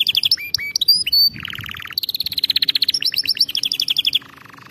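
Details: Canary singing for song training: quick whistled notes and upslurs, then a low rolling trill, a long high pulsed trill and a final softer low rattle.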